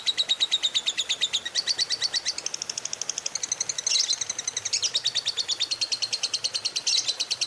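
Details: Morning lovebird chatter (ngekek) used to spur other lovebirds into song: a continuous, quick, high-pitched pulsed trill with several jumps in pitch and a brief harsher burst near the middle.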